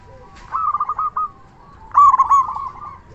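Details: Loud local zebra dove calling as a lure that stirs other doves to reply; a trilled run of coo notes, a short pause, then a stronger, rougher stuttering phrase from two seconds.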